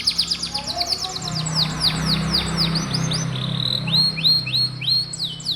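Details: Canary song for training young canaries that seldom sing: rapid repeated downslurred whistles, a sliding series of notes, then evenly spaced clear swooping whistles, with faint low hum behind.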